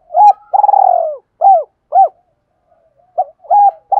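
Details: Spotted dove luring coo for bird training: a long throbbing coo sliding downward, two clear arched coos, a pause, then short rising notes starting the next phrase.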